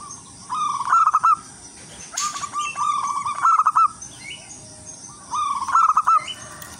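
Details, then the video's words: Melodious lure song of a wild local zebra dove aimed at other zebra doves: three bursts of rolling, trilled cooing, each with a brighter stuttered ending, plus a brief click and steady hiss. "perkutut lokal alam gacor irama merdu jadi pancingan semua perkutut"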